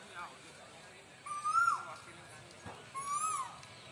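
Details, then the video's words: Two cuckoo notes a second and a half apart, each a mid-pitched whistle that rises and dips, accompanied by fainter high whistles against steady background noise. "Sound of cuckoos"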